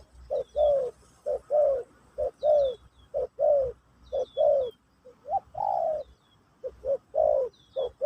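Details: Spotted dove (terkukur), pesom/kacuk style song played to teach a new bird: a steady run of mellow coos in pairs and triplets, one longer drawn hum midway, light distant chirps overhead.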